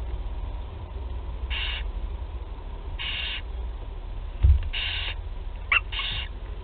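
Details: Barn owl nestlings in Théding, France, 8 July 2020, calling during the first feeding: four breathy, broadband hissing screeches spaced one to two seconds apart, plus a couple of sharp knocks.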